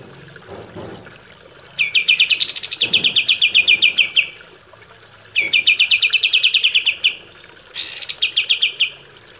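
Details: Captive-bird training recording of kapas tembak singing three bursts of rapid, evenly pulsed high chips, each lasting one to two seconds with short pauses between, over faint background noise.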